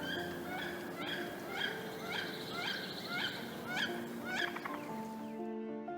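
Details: A Wood Duck along Florida's St Johns River gives strident alarm calls, a series of rising, squealing notes about two per second, with soft background music coming in at the end.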